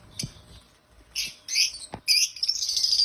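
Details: African lovebirds chirping loudly and happily: scattered harsh squeaks, then a sustained shrill, trilling chatter, with a few sharp clicks or taps between.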